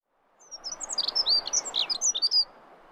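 A Dunnock sings a fast, high, scratchy warble of about two seconds, with notes tumbling in an even rush over a soft background hum.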